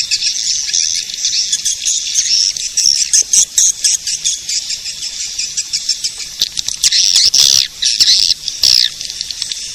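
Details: Swiftlet-attracting call of edible-nest swiftlets: high chattering twitter with sharp clicks, turning into choppy bursts in the second half.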